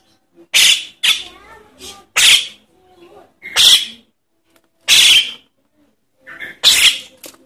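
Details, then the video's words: Javan myna chick begging, for luring adult birds: a rapid run of loud, harsh, wheezy rasps, some in quick pairs, roughly every second, with soft chattering notes between them. "Suara anak jalak kebo untuk pikat burung jalak kebo indukan"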